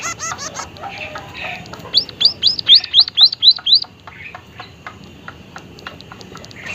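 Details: Vocal white-headed munia giving an unusual call: eight bright, high, down-curving chirps delivered evenly about four per second, with softer twittering from other birds before and after.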